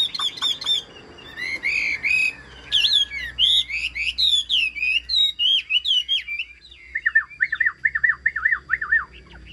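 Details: A Vietnamese cage-bird hwamei that sings well sets off with sharp notes, then loud looping whistled phrases, ending in a fast string of repeated dipping notes, with quiet gaps between phrases.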